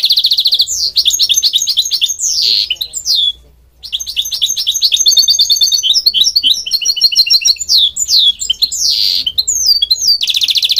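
A goldfinch hybrid sings a long, fast, high twittering song of liquid trills, buzzy notes and rising slurred whistles, with a brief pause partway through.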